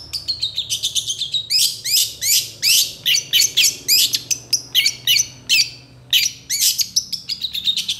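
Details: Long-tailed shrike singing energetically in response to other shrikes: long dense runs of loud harsh squawks and slurred chirps, nearly continuous, with a short gap before a final burst.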